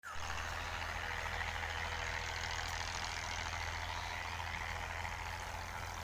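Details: A steady engine rumble with broad hiss runs throughout and no animal call can be made out.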